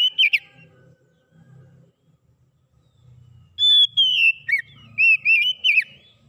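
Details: Oriental magpie-robin song used to get a silent bird singing again: a short burst of notes, a pause with faint low rumbling, then a clear whistle followed by rapid rising and falling whistled chirps.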